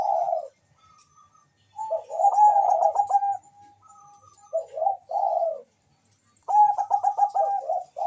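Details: Bangkok-type zebra dove calling rapidly against a rival: dense clusters of quick, stuttering mid-pitched notes alternate with brief purring coos and a thin sustained tone, separated by clear pauses.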